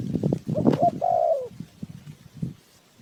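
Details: Decoy spotted dove for trapping birds, a single drawn-out falling coo after a short double note, surrounded by thumping and rustling noise.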